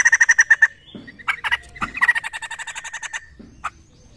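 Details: Laughingthrush known locally as poksay, recorded as a lure to prompt other birds to answer. A quick burst of sharp repeated notes gives way to broken, scratchy chatter and scattered harsh calls, then fades to quiet.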